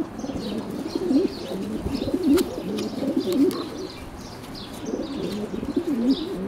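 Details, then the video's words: Fancy pigeons of the Blondinette breed, bred in 2012, cooing in a loft: low, rolling coos repeated in short phrases, with faint chirps and occasional wing flaps in the background. "حمام بلوندنيت 2012-Fancy pigeons"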